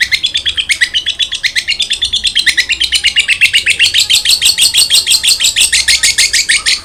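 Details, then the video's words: Long-tailed shrike in full song, recorded to coax quiet shrikes into singing: a continuous rapid chatter of high scratchy notes, about six per second, rising slightly in pitch throughout. "BURUNG CENDET GACOR| Masteran Wajib Untuk Burung Cendet Malas bunyi"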